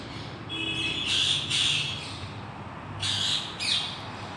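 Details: A wild rose-ringed (Indian ringneck) parakeet that visits daily answers a pet parrot's call with harsh, grating screeches in two bursts of two, about two seconds apart, after a thin whistled note.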